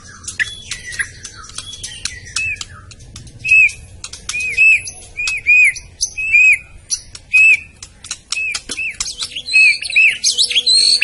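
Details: White-rumped shama from Medan singing: repeated short arched whistles near the same pitch, interspersed with sharp high clicks and ticks, ending in a busier run of mixed notes.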